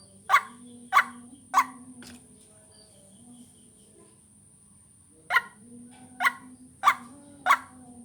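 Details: White-breasted waterhen lure sound used to attract birds: four quick rasping notes, a pause of about three seconds filled only by low hum, then four more notes at the same brisk pace.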